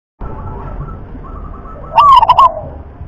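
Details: Local wild-type zebra dove of the rhythm class, a sought-after song style: after quiet background, one loud short cooing phrase of several rolling notes lasting about half a second.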